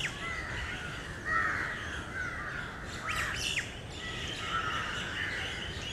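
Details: Flock of crows under a tree at Lalbagh Park in Bangalore, Karnataka, calling as grains are thrown to them; overlapping harsh caws and squawks from many birds, with short chirps and steady outdoor background noise.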